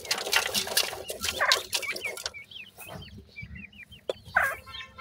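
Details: Grey francolin chicks giving a run of short, high, downward-slurred peeps, several birds overlapping, after a burst of loud clattering noise at the start.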